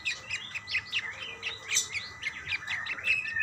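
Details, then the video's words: Budgerigars answering each other in continuous, lively twittering: quick, repeated, rising and falling high chirps with no pauses. "burung parkit bersautan"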